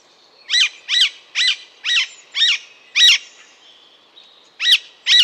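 An Alexandrine parakeet gives harsh, grating screeches, six in a quick run about two per second, then a pause and two more.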